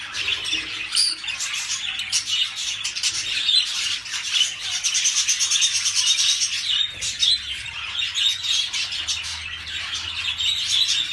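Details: Rainbow budgerigars, males and females in breeding excitement, give mating calls, chattering without pause in a dense, high, scratchy warble of chirps and squeaks with brief louder squawks throughout.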